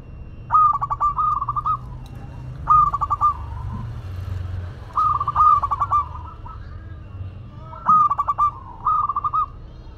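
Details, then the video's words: Zebra dove, local Madura bird, singing repeatedly: each phrase a rapid series of clipped coos on one pitch ending in a drawn note, about every two seconds, with other doves cooing softly. "Perkutut Lokal Madura Gacor"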